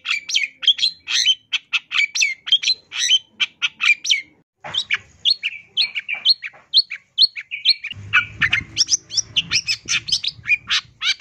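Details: Long-tailed shrike singing a lively, varied 'isian tambakan' style song used as master training material: rapid dense bursts of harsh chattering and sharp whistled notes, about two per second, with brief squawks and a low hum in the background partway through.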